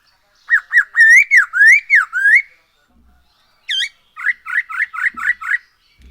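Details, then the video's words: Black-throated laughingthrush song meant to stir other birds into song: a string of eight ringing, rolling whistles, a brief gap, one high upslurred note, then six quick clipped whistles in steady rhythm. "Poksay HONGKONG GACOR SETIAP HARI ‼️Dengan Pancingan ini Bikin Burung Tambah gacor"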